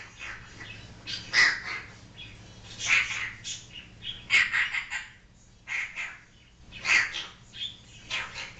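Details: Pet African grey parrot at home making a series of harsh, noisy squawks spaced a second or two apart, part of its repertoire of imitated noises and sounds.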